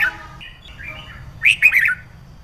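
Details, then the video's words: Female red-whiskered bulbul, caged, voicing a sound meant to stimulate males to sing: soft wavering warbled phrases, then a louder burst of three or four bright slurred chirps over steady low background hum. "Chào Mào Mái Kích Trống Không Quýt Qiu \Kích Là Hót\Kích Chim Nhà Bạn Luôn Căng Lửa"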